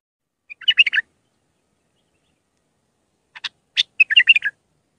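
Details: Tutoring song of a raw Mandalawi Iraqi bulbul, played for young bulbuls to learn. Two bubbly warbled phrases, the second preceded by sharp clicks, are split by about two seconds of silence.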